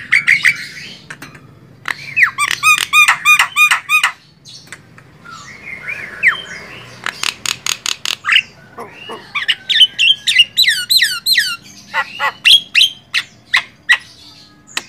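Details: Javan myna song used as a master recording for training songbirds: loud, varied bursts of harsh chattering notes mixed with clear rising and falling whistles and rapid clicking series, delivered in quick irregular phrases throughout.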